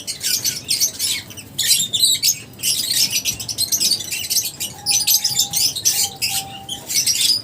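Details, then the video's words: Several lovebirds chatter in short bursts of shrill, high-pitched chirps separated by brief gaps. A thin steady tone appears in the second half. "Love birds Singing sounds | Chirping Sounds | 30 mins lovebirds sounds | lovebirds meeting sounds"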